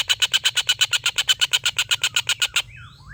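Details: Collared kingfisher giving a long laughing call used as a song tutor for competition white-rumped shamas: a rapid, even run of about seventeen harsh, chattering notes, ending in a faint rising whistle.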